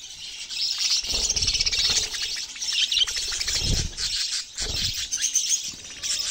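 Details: Budgerigars giving a dense, continuous high chatter of squeaky chirps and warbles, with a few low thumps underneath.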